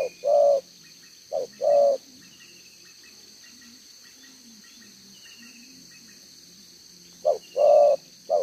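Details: A wild spotted dove with a two-row neck collar coos in the one-ending style near a decoy in Vietnam. Short-long coo pairs open and close the recording, with a quiet stretch between filled by shrill insect hum and faint twittering.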